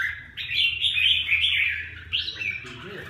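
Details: A Huế red-whiskered bulbul called 'lân cánh bướm' delivers a rolling, slightly buzzy warble that holds steady, then lifts in a brief rising phrase before fading.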